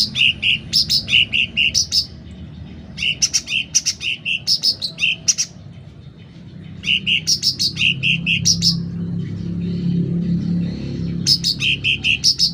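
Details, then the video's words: Sooty-headed bulbul singing loudly and persistently: four separate phrases of quick bright notes that alternate low and high, each lasting one to two seconds, with short gaps between; a soft low rumble in the background. "Suara Cucak Ranting Gacor Volume Keras"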